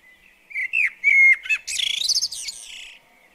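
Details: Garden blackbird at a bird table delivering one short song phrase: clear flute-like whistles that slide downward, followed by a fast, rattling high twitter to finish.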